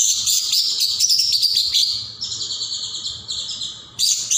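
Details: Caijo (greater green leafbird) singing vigorously as a training recording for other songbirds: dense, high, rapid chattering and tweeting phrases, very busy for two seconds, then softer buzzy chirps with a quiet background hum.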